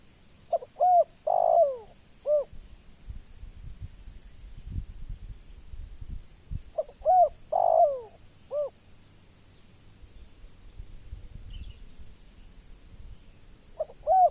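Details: Spotted dove repeating its cooing phrase roughly every six seconds: quick soft coos, a stretched falling coo and a closing hoot, with a third phrase starting at the end over faint low rumble.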